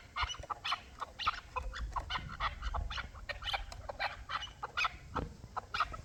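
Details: Hybrid and local chukar partridges calling together, a dense run of short harsh clucking notes repeated rapidly and overlapping, with faint low rumbling underneath.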